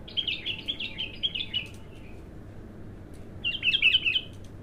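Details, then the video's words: A bulbul, described as raw and just starting to sing, gives a rapid string of repeated high whistled notes, pauses, then adds a shorter matching burst. "تغريد الابتر"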